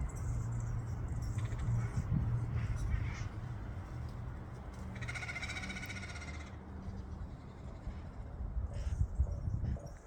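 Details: At the Saturn Steps in San Francisco, wild parrots give one clear, rough, grating squawk of over a second, with a few faint distant calls before and after, against a background of low city rumble.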